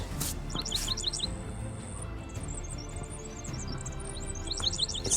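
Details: Dickcissel, a common summer bird of fields, calling in the background in June: quick, dry, high chirps in short clusters with a thin drawn-out whistle, over soft music and a low background rumble.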